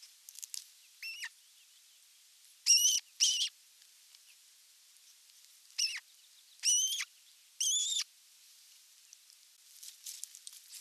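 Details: An osprey at the nest during the evening meal on 30 June 2022, nest camera: shrill whistled calls, some single and some in twos, spaced a couple of seconds apart, with light rustling between.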